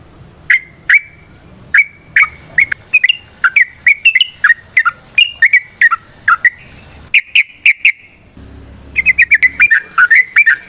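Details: Yellow-vented bulbul (trucukan) singing in the ropel variasi style with nrotok and ngecuplik phrasing: clear chirped notes with short slurred whistles, a break, then a rapid stuttering run of notes near the end.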